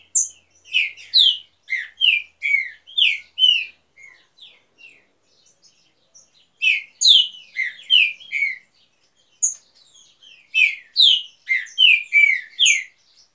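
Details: Green-winged saltator, part of a pair breeding in an aviary, pours out three bursts of clear, slurred whistles, each a rapid string of loud falling notes, separated by brief quieter gaps with faint chips.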